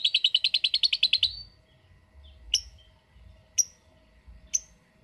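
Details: Lovebird of the ngetik type giving a brief, fast ngekek chatter, rapid repeated notes for just over a second, followed by three sharp, separate chirps spaced about a second apart in a quiet room.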